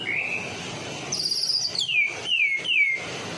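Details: Medan-type white-rumped shama singing to lure other shamas: a rising whistle, a very high buzzy rattle, then three clear ringing notes each sweeping sharply downward.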